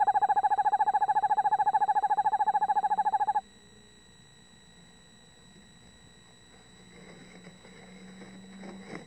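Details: A male and female Eastern Screech Owl call to each other side by side in a nest box, right beside the microphone. One gives a steady, fast, mid-pitched trill of rapid even pulses for about three seconds, then falls silent. Faint low rustling follows.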